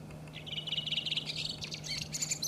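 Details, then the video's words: Redwing singing in Iceland in April: a rapid chattering run of high twittering notes, rising into sharper squeaky phrases near the end, with a steady low hum underneath. "Rotdrossel singt"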